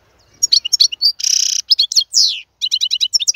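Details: Male wild European goldfinch, recorded for training young birds: twittering notes, a loud rasping buzz, a long downward slur, then a fast rhythmic trill of paired chirps.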